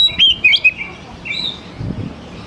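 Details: Oriental magpie-robin song used as a lure to get young wild-caught birds singing quickly: a brief burst of bright, slurred whistled notes, then softer fading warbles over low background noise.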